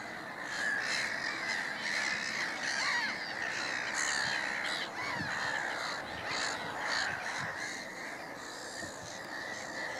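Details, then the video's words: Black-headed gull flock calling at Middleton / Fishers Mill: rapid, irregular harsh cries, several per second, layered into a steady noisy din. "Noisy Black-headed Gulls"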